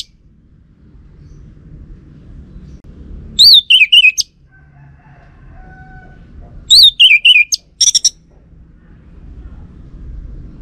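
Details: Lure song of a caged orange-headed thrush from Singaraja, North Bali, meant to draw a response from males. Two short bursts of quick, high, zigzagging whistled notes, with a brief extra flourish after the second, amid long quiet stretches.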